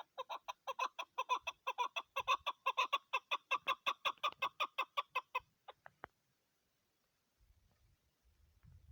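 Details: Female chukar partridge giving a rapid, regular series of harsh clucking chuck notes, nearly three per second for about five seconds, then a few spaced notes before silence and faint low rumbling.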